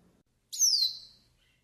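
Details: Yellow-faced siskin, from a tutoring and warm-up recording: one clear, high whistled note that slides steadily downward over about half a second and then fades, in otherwise quiet surroundings.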